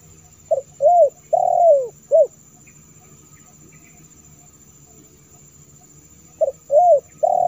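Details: Spotted dove call meant to attract wild doves: short soft coos and one longer falling coo in a burst, a pause of about four seconds, then the phrase starting again; faint steady high hum throughout.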